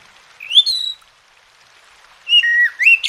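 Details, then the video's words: Oriental magpie-robin singing for a masteran recording meant to get lazy birds singing: a single upslurred whistle, a pause over a light hiss, then a wavering whistle that dips and climbs again. "Masteran dan Terapi Kacer Malas Bunyi Jadi Gacor"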